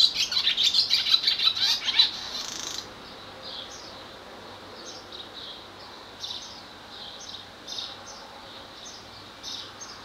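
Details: A male barn swallow sings near its nest and mate at Skala Kallonis, Lesvos, Greece, on 10 May 2014: a fast, bright twittering warble for about three seconds, then softer scattered chirps and twitters.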